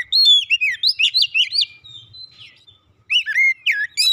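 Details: Oriental magpie-robin, therapy recording for stressed birds; a dense stream of loud, clear whistles and zigzagging slurs about four to five notes per second, a brief lull, then more varied phrases.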